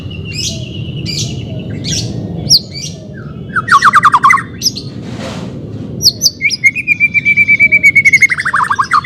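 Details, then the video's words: White-rumped shama song played to train a bird reluctant to sing: varied phrases of short whistled notes and buzzy bursts, then a long sustained whistle with rapid pulsed trills rising and falling, repeated notes building toward the end. "CARA MELATIH BURUNG MURAI BATU MALES BUNYI"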